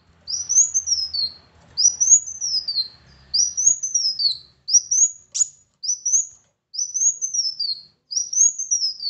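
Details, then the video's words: Song of a Van Hasselt's sunbird meant to prompt a quiet bird to sing: a steady series of thin, high whistled phrases, each rising then sliding down, about one a second, with one brief sharp click. "PANCINGAN ampuh Kolibri Wulung MALAS Bunyi agar GACOR"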